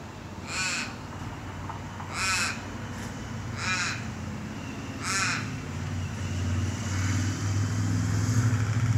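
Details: Australian crow calling in Australia: four loud, drawn-out, harsh caws with a wavering, nasal quality, spaced roughly one and a half seconds apart, over a steady low hum like an idling engine that grows louder toward the end.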